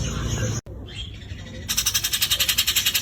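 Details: Grey-cheeked bulbul (Javan form) in rough trilling song: after some brief noise and a short faint note, a harsh pulsed trill starts and continues steadily for over a second, its pulses rapid and evenly spaced.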